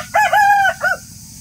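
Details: Rooster crowing in the morning: one loud, harmonic crow of about a second, a steady drawn-out middle note followed by a short, lower closing syllable, against a quiet background.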